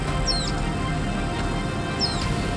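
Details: Social Flycatcher at dusk around 5:55 in Nosara, Guanacaste, Costa Rica, in the dry season, giving two short, high, squeaky notes about two seconds apart over a steady low rumble of wind or handling noise.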